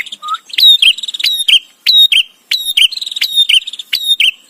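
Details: Chatty bar-winged prinia song, recorded as tutor material for white-rumped shama: rapid strings of sharp ticking notes and thin whistles, phrases repeated nearly continuously with brief gaps, plus one lower soft whistle at the start.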